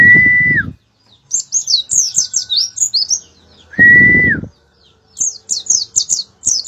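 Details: Oriental white-eye in lively song, giving bursts of high, rapid twittering chirps in quick sweeping phrases. Two separate loud, level whistled notes over rough noisy bursts interrupt the chatter.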